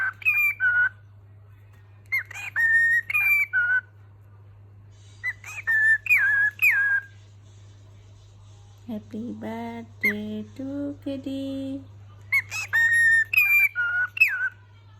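A cockatiel whistles short, bright melodic phrases in repeated bouts, with a brief human voice in between.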